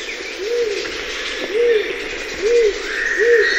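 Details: Rose-crowned fruit dove (Ptilinopus regina) giving soft, low hooting coos, each rising then falling, repeated about once a second over a busy background of other birds' high chirps and whistles.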